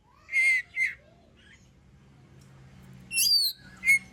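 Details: Oriental magpie-robin song used to provoke other birds into singing: two loud whistled phrases, a long pause with soft low hum, then two more bright, rising whistles near the end.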